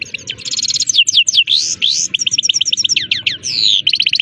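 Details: Himalayan goldfinch, called saira, delivering quick twittering song with rising and falling slurred whistles and rapid repeated chirp series, over a soft low rumble.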